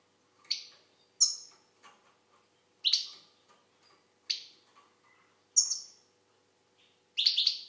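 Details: Algerian goldfinch repeating short, sharp, downward-sliding high notes about every one to one and a half seconds, each clipped and ringing, with a faint low hum behind.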